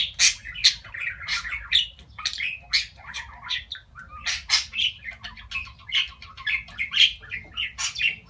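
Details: Captive talking budgerigar from recordings compiled to encourage other budgies to talk; nonstop buzzy, chattering warble packed with quick chirps and squeaks, strongly pulsing in loudness throughout, only a faint hum underneath.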